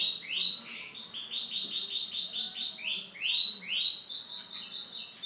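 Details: Silver-coloured male canary delivering rolling trills of rapidly repeated upswept syllables, about five per second, broken by a short pause before a new roll begins, very clear and loud.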